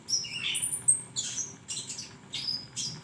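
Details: Softer flowerpecker calls on a songbird training recording, a few high thin whistles and slurred chirps followed by spaced bursts of sharp, scratchy ticks.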